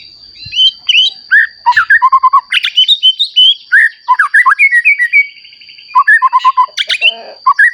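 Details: White-rumped shama, a newly mature bird in full song, used to provoke other shamas into singing; a rich, varied run of whistled, slurred notes and rapid trills, dense and continuous, with a steady high electronic tone throughout.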